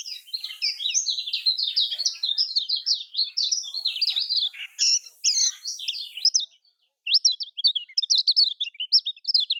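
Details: Lombok lemon-bellied white-eye, a lure song for caged birds reluctant to sing. High, dense, warbling chirps pour out almost continuously for six seconds, break off briefly, then resume as sharp rapid twitters.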